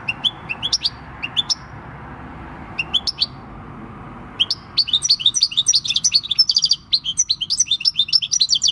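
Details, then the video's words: Six-year-old wild-caught European goldfinch giving its countryside song, recorded 26 December 2019; sparse high chirps at first, then building into a fast, continuous, tinkling twitter with trills. "Jilguero campero "EL CARBONERO" / Chant du chardonneret / Goldfinch song"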